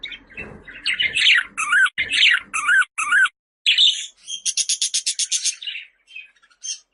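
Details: Budgerigar with rapid, repeated buzzy phrases of rising and falling chirps, followed by a fast string of short, harsh, rasping notes, all high pitched and loud.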